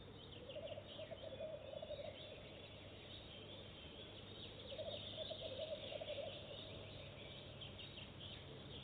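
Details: Goosander visiting a nest box for the first time and laying eggs straight away; two bursts of rapid, rattling low croaks, each lasting over a second, with faint high chirps of small birds and steady background hiss.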